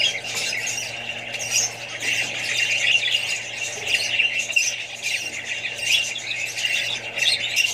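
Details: Crowded chorus of Australian budgies and their babies, a bright, scratchy stream of chirps and squeals rising and falling in loudness, with a steady low hum beneath.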